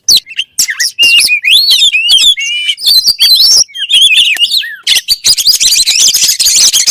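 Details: Oriental magpie-robin (kacer) song of varied whistled slurs and sharp notes, giving way to a prolonged, dense, buzzy high chatter in the last two seconds.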